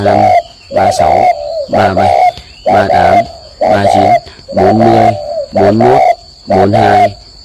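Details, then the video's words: Morning cooing of a spotted dove at Ba Vì, northern Vietnam, part of a long bout counted at 45. Throaty, resonant double-beat coos come in a very regular series, roughly one per second, loud and close. "chim cu gù dài nhất 45 cái 1 lần"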